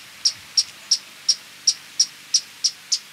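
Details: Violet-crowned woodnymph giving sharp, high, clipped chip notes, evenly spaced about three per second, nine in a row over a quiet background.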